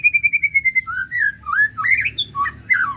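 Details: Emotion-stirring provoking song of a white-rumped shama: opens with a fast series of repeated high whistled notes, then flows into rich, slurred, rising and falling whistles and burry phrases.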